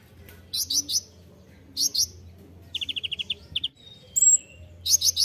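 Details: Master recording of a kolibri ninja sunbird used to train songbirds: triplets of shrill high chirps, a quick seven-note trill with two trailing notes, then a thin whistle and more chirps.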